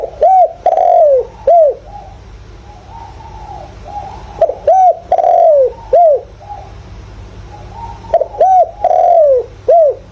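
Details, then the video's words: Spotted dove used as a decoy to excite wild doves, 'giọng thổ' voice; three repeated phrases of mellow low coos, each ending in a long downward-sliding coo and a brief final note, with soft cooing between. "chim cu gáy mồi, chim cu gáy gọi, chim cu gáy giọng thổ, tiếng chim cu gáy giọng hợp bổi."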